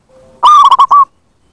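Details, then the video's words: Zebra dove lure call for attracting wild doves: one clear phrase of four or five mellow coos run closely together, level in pitch, preceded by a faint steady hum. "Pancingan bunyi + pemanggil perkutut liar"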